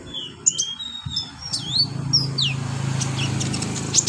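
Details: Olive-backed sunbird training recording for beginner birds: scattered high, thin, sweeping chirps and short slurred whistles over a persistent low droning hum.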